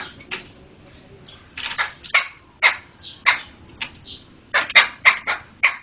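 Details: Laughingthrush chatter used for songbird tutoring: rough, noisy notes with a few thin whistled accents, picking up into a dense cluster of rapid bursts near the end.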